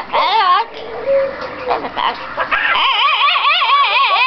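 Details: A male pet yellow-crowned amazon, given a toy parrot as a Christmas present, makes rough, nasal squawks, then a rapid wavering warble that rises and falls several times a second, almost speech-like.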